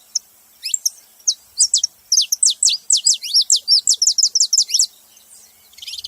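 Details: Saffron finch in full song: a loud, fast string of bright, high downslurred notes, accelerating into a rapid series of nearly twenty chirps before ending, over near silence.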